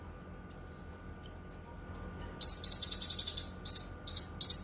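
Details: Cucak kinoi singing, for song tutoring and therapy: three thin, spaced whistles a little under a second apart, then a fast burst of harsh, high chirps and paired notes.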